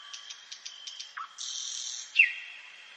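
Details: Nightly forest song of a common nightingale: six quick evenly spaced pips, a short low note, a buzzy sustained burst, then a sharp downslurred whistle.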